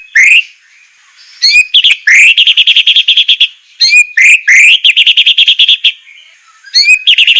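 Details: White-rumped shama training song with harsh 'shot' phrases: rising whistled upswings leading into fast, buzzy stuttering rattles, repeated in several bursts separated by short pauses.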